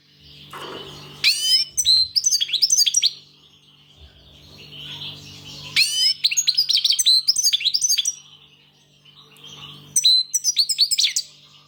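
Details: European goldfinch singing in three bursts of fast tinkling, twittering notes sweeping up and down, with brief pauses between, over a steady low hum.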